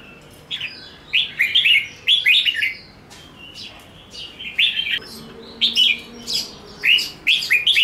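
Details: Red-whiskered bulbul delivering a vigorous 'ché nẹt' fighting song as groups of bubbling, warbled whistles repeated every second or so, with a faint low tone in the background.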